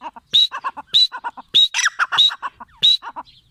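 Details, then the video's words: Grey francolin (teetar) with a harsh rhythmic call. A piercing high note alternates with clusters of lower clucking syllables, cycling roughly every half second in a busy, slightly irregular pattern. "Teetar ki awaz l teetar sound l teetar vioce l gray francoline"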